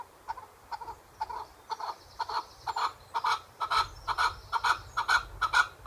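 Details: Chukar partridge kept as a pet starts with scattered soft clucks that quicken and grow louder into a rapid, rhythmic series of hoarse chuck notes, with faint low rumbling underneath.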